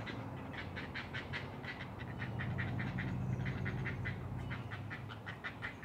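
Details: Great blue heron at a nest in a colony 100 feet up in loblolly pines, Maryland's Eastern Shore, early morning 20 June 2018: bursts of rapid, harsh clacking notes, about three a second, pausing between runs, over a low rumble.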